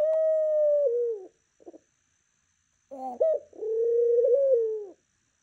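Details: Indoor pet dove giving a morning coo: a long sustained tone that dips slightly at the end, a short pause, then a second prolonged coo with a small rise in the middle.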